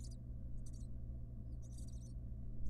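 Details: Wild barn owl mother with her nestlings in a monitored nest box: short bursts of high, squeaky twittering, three clusters in under three seconds, over a steady low electrical hum.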